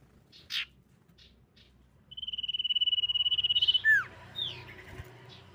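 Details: Lure song of a female common iora for provoking other birds to answer: a few faint chips first, then a steady rapid high trill, finished by a sharp descending slur and softer trailing notes.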